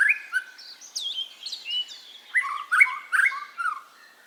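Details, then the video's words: Masteran recording of a white-rumped shama, played to coax caged birds into song: rapid varied phrases of rising whistles, slurred notes and bright chirps, about two per second, clean background. "MASTERAN BURUNG MURAI suara santai asli burung murai"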